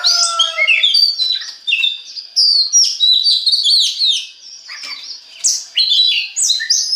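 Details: Kacer, the Oriental magpie-robin, in lively lure song meant to make other magpie-robins sing; sweet whistles, upward sweeps and scratchy chatters follow one another rapidly, with a softer passage midway.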